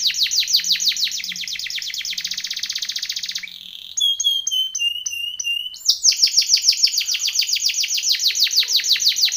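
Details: Canary; training song; song for training young canaries to sing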